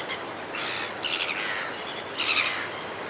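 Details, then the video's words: Red-billed gulls in flight over a cliff top giving a few rough, overlapping squawks, the last louder and clearer, against constant wind-like hiss. "Red Billed Gull / Red-Billed Gull. CU Calls From Gulls In Flight Over Cliff Top"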